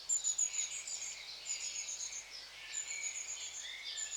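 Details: Soft twittering and thin high-pitched calls from long-tailed tits, delivered in loose, repeated phrases with a few rising and falling chirps.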